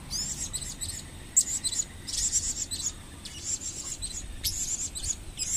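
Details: Blue-crowned hanging parrot kept in captivity, recorded in 2015, repeating bursts of thin high squeaks and twitters, clustered in groups every second or so over several seconds against background hiss.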